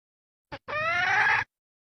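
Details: Female red junglefowl used as a decoy gives one brief clipped note, then a sustained, bright, slightly rising harmonic call lasting under a second.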